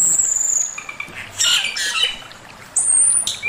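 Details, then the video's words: Male Chinese hwamei master song, opening with a very high sliding whistle, then clustered warbling notes, a quieter gap, and another piercing high drawn-out whistle. "Burung poksay mandarin suara masteran Poksay mandarin jantan"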